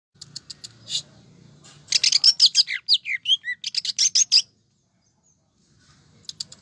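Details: Greater green leafbird, cucak ijo, in full jamtrok tembakan song: a rapid burst of sharp high chips and buzzy notes running into falling slurred whistles, about two and a half seconds, after scattered short ticks.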